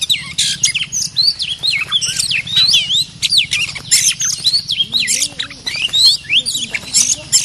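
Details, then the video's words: Oriental magpie-robin, a fiercely territorial bird, used as a decoy lure: rapid, varied high whistles slurred up and down with scratchy notes, almost without pause, over a low hum. "suara pikat kacer"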